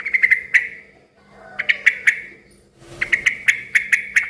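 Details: Yellow-vented bulbul used to lure other bulbuls into answering: three rapid bursts of sharp, clear chip notes in quick series, the last and longest holding about seven notes, with a low hum in the background.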